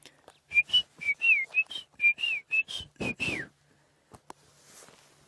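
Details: Shelley's francolin calling in the background at a waterhole at sunset: a rhythmic series of a dozen clear whistled notes, some slurring downward, over about three seconds, followed by a couple of knocks and a faint hiss.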